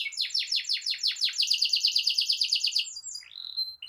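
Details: Canary in vigorous rolling song, meant to tutor young birds and coax quiet canaries into singing. Quick high downward-slurred notes run into an even, rattling trill of about two seconds, followed by a rising whistle and a short final note.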